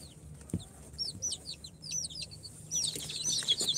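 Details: Incubator-hatched chicks on day four, of Sultan, Golden Sebright, Cochin and booted breeds, give clear high downward-curving peeps in quick runs, growing louder and denser near the end, with a soft thump early on.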